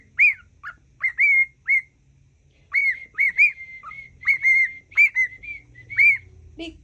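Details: Captive cockatiel repeating the Mickey Mouse song it has learned: bright, evenly pitched whistled notes with small up-and-down bends, grouped in bursts separated by short pauses, over a quiet low background hum.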